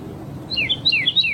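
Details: Red-crested cardinal singing in nature, a short clean phrase of alternating high and lower slurred whistles, each note falling in pitch, delivered in quick succession.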